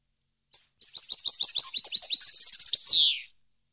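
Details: European goldfinch song used to train captive birds: a rapid, high, tinkling twitter of short chirped notes that runs about two and a half seconds. It ends in one drawn-out, buzzy, falling note, with nothing else heard.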